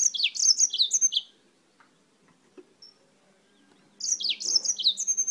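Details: Song of a yellow-fronted canary brought from Spain, two bursts of quick high trilled notes with downward slurs, separated by a quiet pause of about three seconds.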